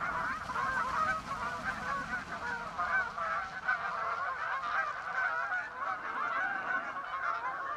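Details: A flock of Canada geese flying over West Somerset toward Dunkery Beacon on Exmoor in autumn; steady overlapping honking from many birds fills the whole stretch, with a faint low rumble beneath.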